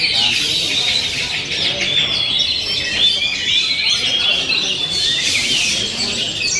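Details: Continuous fast oriental magpie-robin song: high, crowded twittering and chattering notes with scattered clear whistles, steady in loudness throughout.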